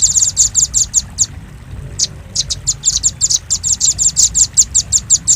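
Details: Used as a lure to attract birds, a velvet-fronted nuthatch gives sharp, high ticking notes in quick succession; a pause of nearly a second interrupts the series before the chips resume evenly.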